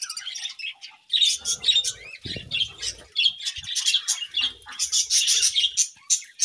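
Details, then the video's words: Morning chatter of budgerigars, busy high twittering and squeaky warbles after a brief quieter start, with a short rustle near the middle. "Budgies' Morning Chirping Sounds"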